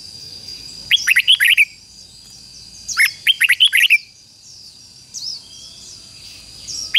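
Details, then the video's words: Red-whiskered bulbul decoy singing to lure wild bulbuls: two quick bursts of six or seven bright, chopped warbled notes about two seconds apart, followed by faint high notes and a constant thin background whine. "Chào mào mồi hót gọi bổi"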